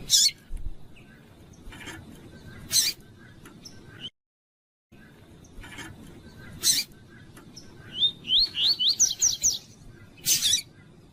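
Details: A double-collared seedeater (Sporophila caerulescens) sings its tui-tui song, used to train other birds: a quick run of high, rising whistled notes that speed into a tumbling phrase, with scattered sharp chips and a brief silent break.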